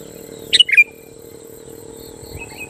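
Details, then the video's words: Sooty-headed bulbul song to goad rival bulbuls: one quick phrase of a sharp high note followed by two liquid, descending notes, then near silence with faint twittering before another note begins at the end. "Suara burung kutilang gacor Ampuh Menekan Lawan Kutilang Lain Langsung Emosi dan Ikut Gacor"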